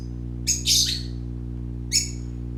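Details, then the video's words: A harsh, scratchy squawk from colourful parakeet chicks at play, followed after a short pause by a single sharp chirp, all set against a faint steady hum. "Color ful Parakeet Babies playing - Original sounds"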